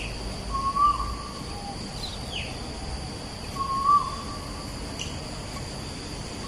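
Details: Asian koel song from Bukit Batok East, opposite the nature park, on 14 September 2021: two loud rising whistles about three seconds apart, with soft high calls of other birds between them.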